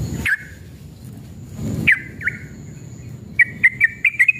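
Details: Sooty-headed bulbul male in an agitated, fighting mood, used to trigger singing: a few slurred chirps, then a fast burst of six clipped bright notes near the end, with low rumbling hum throughout.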